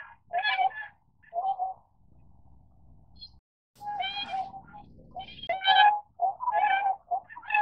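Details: Tundra swan (Cygnus columbianus), call.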